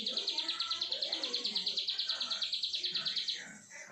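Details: Plain prinia (ciblek sawah) in 'brenn' song: an uninterrupted quick series of high, buzzy, rhythmic notes lasting over three seconds, then stopping, over muffled low background noise.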